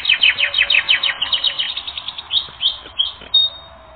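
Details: Canary on a training recording, singing quick repeated chirping notes that slow into spaced whistles and end on a thin high note.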